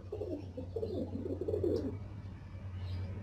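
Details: Fantail pigeons, black and white birds kept as pets, cooing in low rolling pulses around the middle of the clip over a steady low hum.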